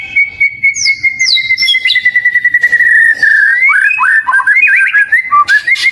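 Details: Oriental magpie-robin (kacer) in loud gacor song, played as a pancingan lure song. A long sustained whistle slowly falls, then breaks into quick varied whistled notes that rise and fall with sharp flicks.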